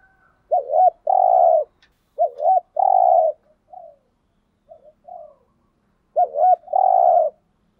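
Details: Cooing of a spotted dove used as a lure to provoke wild doves: three phrases, each a quick double-hooked note followed by a long, husky, level coo, with a few soft faint notes between, in a quiet setting.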